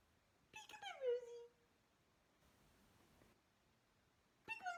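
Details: Pet cockatiel indoors in a small room, calling during a game of peek-a-boo: a loud descending whistled squawk, then quiet, then a second harsh call at the end.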